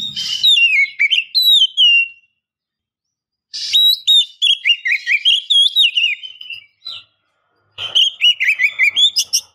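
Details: Oriental magpie-robin female calling to provoke a male into singing: a clear whistled phrase falling in pitch, silence, then a long run of rich, warbling whistles, later quick scratchy chirps.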